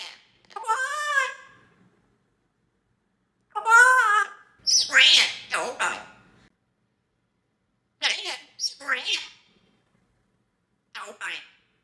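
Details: A young male African grey parrot, a pet that chats with people and mimics sounds, gives rising and falling whistled, voice-like phrases in bursts separated by short silences indoors.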